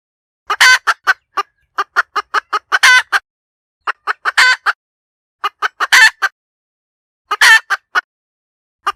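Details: Sustained hen cackling: runs of brisk clucks repeatedly rising into long, coarse squawks, five such peaks over the stretch, with no other noise present.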